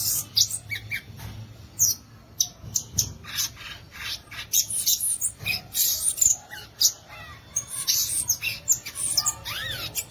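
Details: Long, varied song of the violaceous euphonia, called gaturamo verdadeiro or guriatã: a jumbled run of high chips, squeaks and slurred whistles, nearly continuous.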